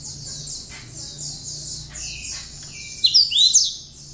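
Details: Cinereous tit singing with bar-winged prinia notes, kept as tutor material for other songbirds: a steady high buzzy trill runs throughout, then loud sharp whistled slurs burst out near the end.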